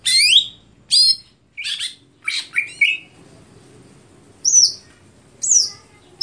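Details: Greater green leafbird singing stelan: a quick string of sharp rising whistles and chattering notes, a short gap, then two bright upward-sweeping whistles near the end.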